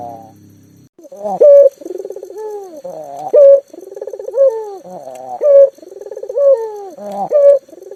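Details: Lively local collared dove, a lure for mute doves, opens after a brief low hum, then gives cycles of throaty rolling coos capped by loud, clear, slightly rising notes.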